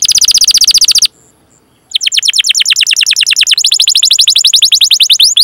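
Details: Canary trill for luring other canaries to sing: a fast bright roll, a short near-silent pause, then another long rapid trill of sharp high notes that shifts slightly in pitch.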